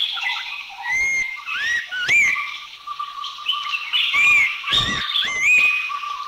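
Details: Abbott's Babbler recorded in a Thai national park (Khao Yai, Doi Inthanon, Doi Suthep-Pui or Chae Son), giving clear whistled notes, some rising and slurred upward, repeated every second or so over a steady background hum and other faint birds.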